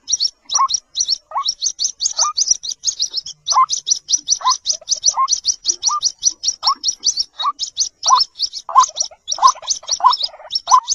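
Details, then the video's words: White-breasted waterhen chicks give a rapid, continuous stream of thin, high cheeping notes, with a lower, hoarse note breaking in about once a second. "White breasted Waterhen Baby ki awaaz | Jal Murgi call"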